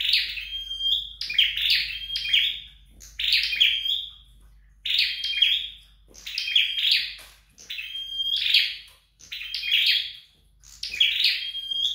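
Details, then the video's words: Flowerpecker, locally called red-headed sâu, trained at home: high, thin chirping phrases, each a buzzy burst with a short level whistle, repeated in runs of about a second with brief pauses over twelve seconds. "Dợt Sâu Đầu Đỏ Tại Nhà"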